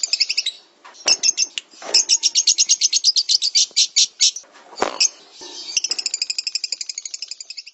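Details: A lovebird's high, shrill chatter for bird training: sharp chips lead into a sustained rapid trill of evenly spaced pulsed notes, a brief harsh burst, then another fast, steady trill.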